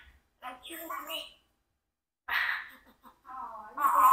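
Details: A 4-year-old pet Congo African grey parrot mimics human speech, phrases like "come back", in two short bursts of words separated by a pause, in a quiet room.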